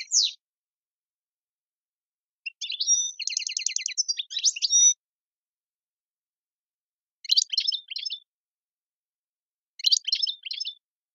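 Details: European goldfinch singing the Algerian tiwawati style, with a bright rising note, a two-second buzzy rattling trill mixed with chirps, then two short bursts of crisp twitters.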